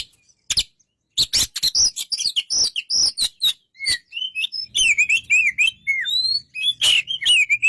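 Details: White-rumped shama song, a rapid run of sharp chips leading into varied whistled phrases, some swooping downward, with a faint low hum underneath.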